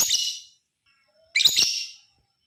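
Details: Lovebird's long chattering, ngekek panjang, used as a lure to provoke other lovebirds to sing. Two short, harsh, high-pitched screechy bursts about a second apart, each fading quickly, with silence between.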